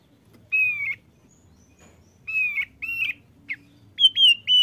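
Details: A male Thick-billed white-eye that sings often whistles a series of clear, level notes separated by pauses, ending in quicker, higher rising-and-falling notes.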